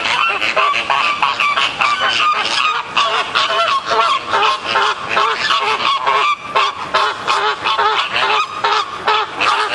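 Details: A noisy flock of flamingos, possibly Caribbean, quarrels at Columbus Zoo in Ohio. Many honking, grunting calls overlap continuously, rising and falling in loudness at a quick uneven rhythm.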